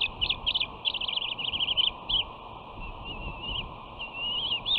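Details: Bald eagle siblings squabble on the West End nest on 13 June 2019 as one asserts dominance over her returning sister: fast high-pitched piping chatter in quick runs, then thinner wavering whistled trills, on a nest camera.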